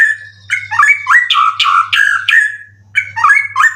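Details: Prize-winning white-rumped shama kept caged for song contests; rich, rapid song mixing slurred whistles with rasping, chattering notes, phrases pouring out several per second, a low electrical hum underneath.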